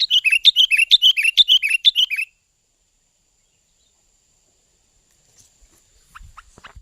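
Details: Sooty-headed bulbul lure call for trapping and song training: about two seconds of fast, evenly repeated sharp chirps, then near silence broken by faint clicks.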